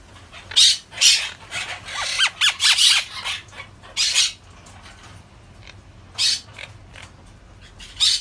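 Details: Monk parakeet squawking loudly: a cluster of harsh, raspy screeches with a few descending chatter notes early on, then quieter gap and two more isolated screeches.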